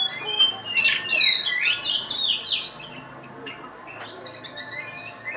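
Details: First-place contest-winning oriental magpie-robin delivering a rich burst of high whistled and scratchy notes with quick downward slurs, the song fading into softer chatter toward the end.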